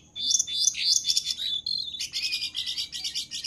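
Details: Brown-throated sunbird, known locally as jongkangan, in lively master-song form for training birds: a fast burst of high, sharp twittering notes then a rapid metallic trill, steady and unbroken.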